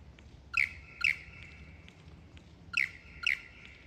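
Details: Lyrebird practising its song and dance ahead of the mating season, giving loud, sharp descending chirps in pairs about half a second apart, two pairs separated by a longer pause, with a faint ringing tone between.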